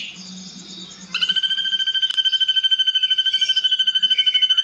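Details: Ashy drongo in vigorous song, used as a tutor recording for cage birds and described as long and harsh: after a faint low murmur, a steady rapid pulsed buzzing trill begins and runs evenly to the end.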